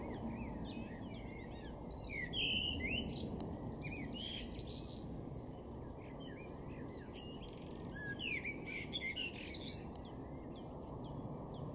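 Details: Male Common Blackbird singing in a garden in Weener, East Frisia, far northwestern Germany, in April: bursts of mellow phrases ending in high, squeaky twitters, with a quiet gap between them. A constant low rumble runs underneath.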